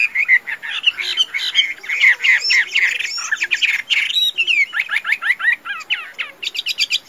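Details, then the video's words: Fighting song from a tame Chinese hwamei, praised for singing and fighting well: dense, bright, rapid warbling with harsh notes, shifting into quick repeated upsweeping whistled strokes near the end. "Họa Mi Thuần, Hót Tốt - Đấu Tốt"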